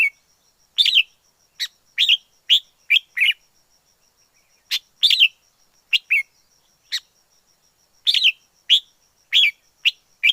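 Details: A wild red-whiskered bulbul from the forest delivers clipped, warbled notes in loose clusters, with quick doubled chirps and brief pauses between groups. The setting is otherwise silent apart from a thin constant high tone.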